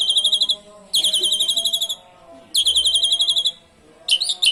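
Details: Asian pied starling (jalak suren) with canary imitations, a recording meant to lure other birds: repeated high buzzing trills about a second long, separated by half-second pauses, ending in jumbled chatter.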